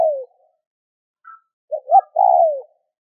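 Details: Spotted dove call played to encourage other doves to call; a falling coo tail, a faint high note, then two short rising notes and a long descending coo.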